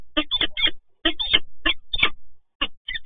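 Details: Resident peregrine falcons meeting at Toruń, Poland, 27 November 2022: harsh, grating calls in short bursts, about three a second with brief pauses, over a low rumble of wind or traffic.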